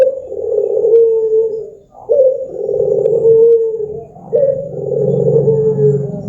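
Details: Barbary dove song for luring birds into singing: three long, hollow, low coos, each beginning abruptly and easing downward, spaced about two seconds apart over a faint low hum.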